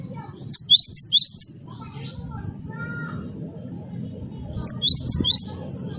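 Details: Cinereous tit of the wingko type, singing actively as a lure to prompt other birds to sing: bright, sharp, high two-part notes in a quick run of about five, repeated after roughly four seconds over faint low background noise.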